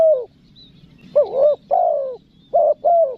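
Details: Spotted dove in the pesom manggil calling style with nekan nguku, meant to attract wild doves: low mellow coos, some notes rising then falling, others long and drawn out, separated by short pauses, faint background hum.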